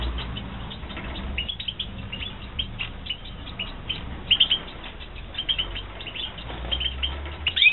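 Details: European goldfinches kept for breeding in 2016, giving scattered high, thin twittering notes and short chirps in irregular bursts, loudest near the middle and end, over a steady low hum.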